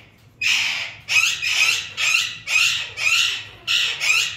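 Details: Yellow lutino Indian ringneck parakeet, a talking pet parrot, producing six raspy speech-like syllables in a steady rhythm, about one every half second, in a quiet room.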